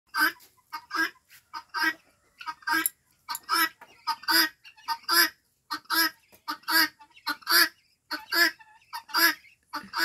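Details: A five-month-old guineafowl gives harsh, grating, rasping calls, repeated steadily more than once a second, some in quick doubled bursts.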